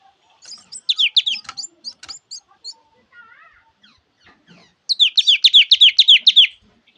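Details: [1, 'Java sparrow singing: two bursts of quick, sharp chirping notes. The notes are repeated rapidly at a high pitch, with soft scattered peeps in the quiet gap between the bursts.']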